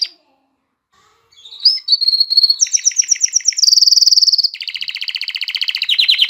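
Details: Excited male canary singing to prepare females for mating: after a brief pause, a high, fast song of chattering trills, each run of rapid repeated notes shifting pitch, including a steady buzzy high roll and a lower rattling trill.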